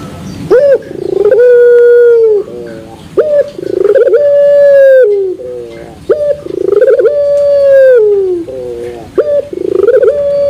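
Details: Turtle dove in puter pelung style, its coo said to end metallic, repeats its phrase about every two and a half seconds. Each phrase has a sharp rising onset, a burst of rapid pulses and a long level drawn-out note tailing downward.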